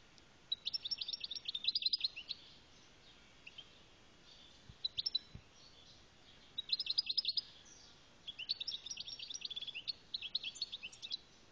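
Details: European goldfinch of Algeria in song: several separate bursts of fast, high, liquid twittering and jingling notes, broken by short pauses, with one brief quieter phrase in between; background otherwise quiet.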